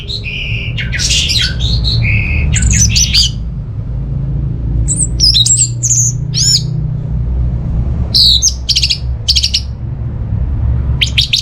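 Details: Varied phrases from an orange-headed thrush: harsh squeaky notes, steep upward-sweeping whistles and clipped chips in scattered bursts, with a heavy low rumble throughout.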